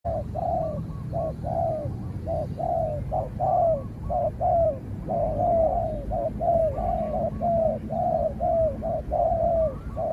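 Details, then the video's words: Spotted dove calling while facing off against another dove, giving a long run of low, hoarse coos in quick uneven succession, each short and slightly wavering, over a steady low rumble. "เสียงนกเขาใหญ่ ต่อ นกเขาใหญ่"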